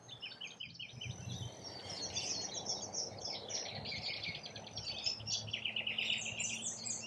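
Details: Rainbow lorikeets feeding in Australia make a dense, continuous chorus of shrill, grating screeches and rapid chatter from many birds at once, over a steady background hiss.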